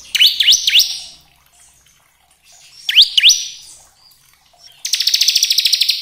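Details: Bar-winged prinia in lively 'kristal gacor' song, played to provoke other prinias into singing: paired sharp upswept chirps, repeated after a pause, then a fast metallic trill of rapidly repeated notes.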